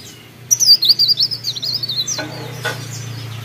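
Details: A mountain leaf warbler (cikrak daun) in lively song, Pare Pare: one fast sequence of shrill, thin, jittery notes pitched very high, dropping off after about a second and a half, then a couple of faint clicks over a low steady hum.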